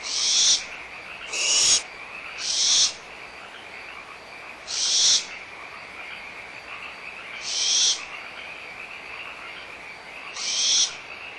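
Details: Barn owlets bickering over a food scrap at Audubon Starr Ranch Sanctuary in April 2011, mother close by. Six rasping, breathy hisses come at irregular intervals while frogs call steadily behind them.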